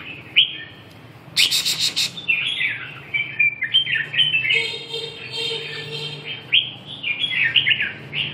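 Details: Red-whiskered bulbul song from Vietnam: a harsh broadband rasp opens, then a run of quick slurred whistled phrases, rising and falling, delivered in rapid succession with a faint steady hum in the background.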